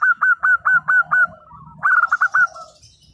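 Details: Local zebra dove singing actively: a loud series of short, evenly spaced rolling coo notes, a brief softer gap, then a second burst of quick coos that fades out, over light background hiss.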